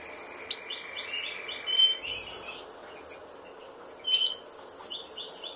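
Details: Caged European goldfinches at a successful cage breeding, with chicks almost two weeks old and about to fly; bursts of high twittering chirps and short whistled notes, two louder flurries, with a steady faint tone in the background.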